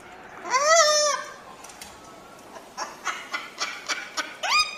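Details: A single arched, piercing shriek from a crested cockatoo, followed by faint clicking and scratching, and the start of another sharp screech at the end.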